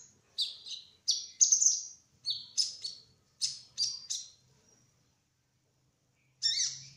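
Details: Trotol olive-backed sunbird in rolling song: a series of sharp high chirps, each dropping quickly in pitch, repeated at roughly half-second intervals, then a pause and one final buzzy note.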